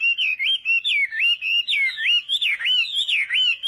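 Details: Morning voice-training song of a Chinese hwamei in Vietnamese fighting style: loud, continuous looping whistles that rise and fall in quick succession, several notes per second, with a clean background.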